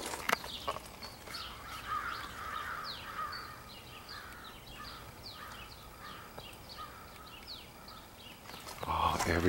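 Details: Many crows from one big extended flock calling at once, possibly pairing up: a steady stream of short, harsh, downward-slurred caws from numerous birds overlapping, with a louder burst of noise at the end.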